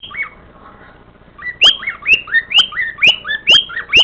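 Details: A pet cockatiel whistles the first part of the tune "Tequila", with clear rising-and-falling notes repeated in a quick, bouncy rhythm.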